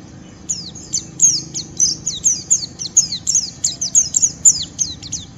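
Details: White-eye delivering rough ngeriwik song to provoke rivals into calling; rapid, steady chain of high, sharp downward-sweeping chips, about four per second, over low background hum.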